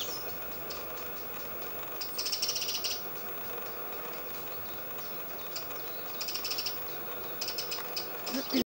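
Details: A male Eurasian wren at Titchwell Marsh RSPB reserve, Norfolk, UK, in late June 2012, calls while waving his tail side to side: three dry, ticking rattles, each about a second, over steady background hiss.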